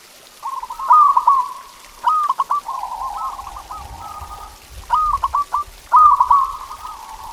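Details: Zebra dove song for encouraging pet doves to sing: rolling trilled coos in repeated phrases, stuttered notes and drawn-out purring, with faint low rumble in the background.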